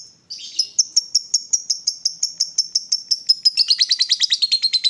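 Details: Lovebird, excited and provoked into calling, in a long ngekek chatter: after a brief harsh opening, a high squeaky note is repeated steadily, then speeds into a fast rattling series toward the end.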